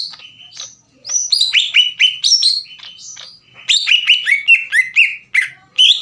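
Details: Caged green leafbird singing to make rivals angry and vocal: bright slurred whistles in quick series, short pauses between bursts, phrases varying up and down in pitch.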